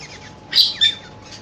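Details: Cockatiel in love making two quick, sharp, high chirps close together, surrounded by softer faint twittering.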